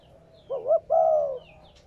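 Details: One full spotted dove coo phrase, from a recording used to get newly caught captive doves cooing: a quick wavering double note, then a sustained, gently falling coo lasting about half a second.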